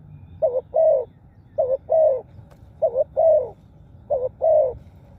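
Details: Spotted dove calling to lure wild birds: four clear phrases of a short double note followed by a fuller, slightly descending hoot, steady rhythm roughly every 1.2 seconds, quiet background.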